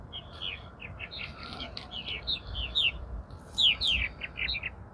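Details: Mid-April Purple Martins back at the colony, later than their usual arrival; scattered chirps and a few longer down-slurred squeaky notes, irregularly spaced, over a constant low hum.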